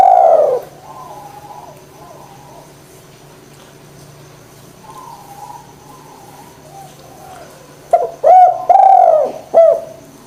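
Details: Spotted dove coos used to set idle doves calling: an opening coo fades, faint distant cooing follows, then near the end a loud phrase of short hooked notes and a longer mellow coo.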